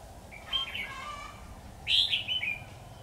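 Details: Red-whiskered bulbul of the 'Mí lửa' type giving fighting song at a trapping site with a caged decoy, 13 October 2019: two short bright whistled warbling phrases, the second louder, rising and falling, over low background rumble.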